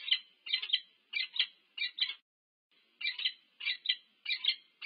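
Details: Nest-camera recording of a wild peregrine falcon pair meeting at the nest, UC Berkeley, USA, 25 August 2023: grating two- and three-note chups, about one burst every half second, with a short break midway.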